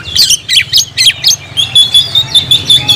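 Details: Oriental magpie-robin (kacer) delivering quick harsh chattering bursts, roughly four a second, then a thin sustained whistled line with softer pulses beneath, over a faint low hum.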